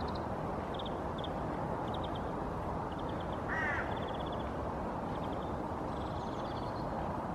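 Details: Female hooded crow (Corvus corone cornix) sitting on her nest gives a soft "nest song": a short harsh, grating call amid soft high ticking notes, repeated, over a steady low rumble of wind or distant traffic.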